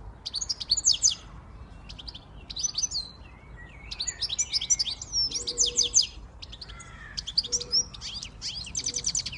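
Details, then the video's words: Siskin x goldfinch hybrid singing a fast, high twittering song of bright chirps and trills in repeated bursts, with a few lower rising notes between phrases. "Switty Siskin x goldfinch"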